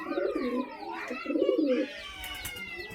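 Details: Pigeons kept in a loft: deep rolling coos in two bursts, a throaty bubbling phrase followed by a second, then quieter after two seconds.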